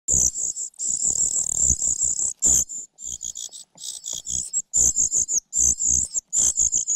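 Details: Parasitic common cuckoo chick begging from its foster mother, failing to get food and pecking at her; loud, high, hissing-wheezy calls in rapid bursts, some long and sustained, with low thumping and rustling beneath.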